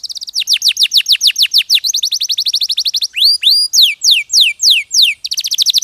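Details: Canary singing fast, regular rolls of high, downward-sweeping notes, several per second, switching between trill speeds, with a few upslurred whistles in the middle.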